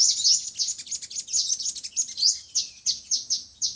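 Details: Five-colour and seven-colour sunbirds for speaker trapping: rapid, slightly buzzy high chirps, about three per second, with one long thin whistle in the middle.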